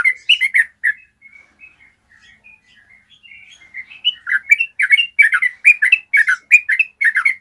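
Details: Yellow-vented bulbul giving a long, clear trill used as a tutor recording for caged birds: bursts of bubbly chirping notes, a softer, quieter stretch of thin notes mid-clip, then dense, rapid chattering phrases resuming strongly.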